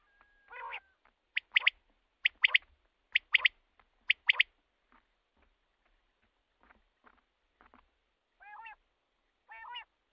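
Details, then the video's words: Male common quail calling, giving a run of loud, crisp three-note phrases. Fainter clicks follow, then two separate harmonic, arched calls near the end. "common quail calling"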